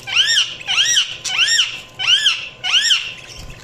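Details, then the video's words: Budgerigar chirps: five clear arching whistled calls, each rising then falling, repeated roughly every half second in a steady sequence. "Budgies Chirping sound"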